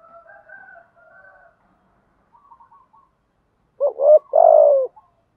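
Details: Decoy spotted dove calling to lure and provoke wild doves: soft, broken cooing notes early on, then a loud, low, throaty coo phrase of three swelling notes near the end.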